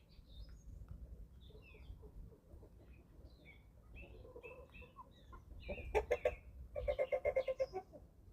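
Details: Eleven-week-old chickens at feeding time on a small family farm in Germany: soft scattered chirps at first, then loud rapid clucking bursts in quick repeated pulses near the end, over a low background rumble.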